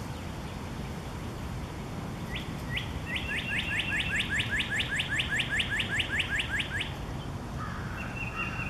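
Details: [2, 'Northern cardinal serenading near a tulip magnolia moving in the breeze: two clear slurred whistles, then a rapid, even series of roughly fifteen repeated downslurred notes, followed by a softer steady whistle, with low wind rumble throughout.']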